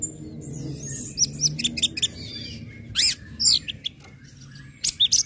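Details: Orange-headed thrush with ngecip, ngecit and ngeplong song, intended to trigger breeding mood so other birds sing: scattered high chirps and twittered notes, a loud burst near the middle and another flurry at the end.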